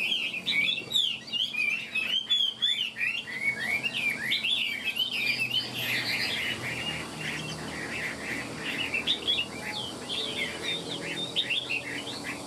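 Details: Chinese hwamei kept in a cage, tail spread and wings flicking: a dense, unbroken torrent of fast whistled trills and chirps, rich and varied throughout.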